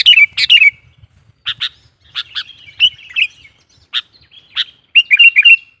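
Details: Wild-bulbul lure recording of a sooty-headed bulbul: a burst of scratchy notes, then spaced harsh chirps mixed with brief bubbling, warbled phrases, closing in a rapid chattering run.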